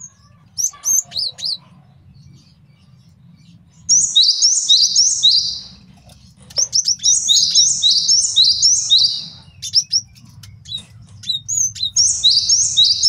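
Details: Male great tit used as a master song for training and luring birds, giving several loud bursts of fast, repeated high whistled notes in rhythmic series, with short pauses and isolated chips between them.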